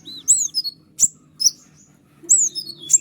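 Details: Van Hasselt's sunbird (white-winged 'konin' form) singing a long chattering tutor song meant to provoke other birds to answer: sharp, high, slurred whistles in short clusters separated by pauses of about a second.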